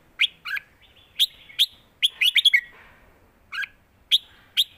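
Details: Red-whiskered bulbuls in a song duel, trading phrases in the southern master-pattern style. Short bright whistled phrases, some with quick rising-falling notes, come in bursts with brief silent gaps between them.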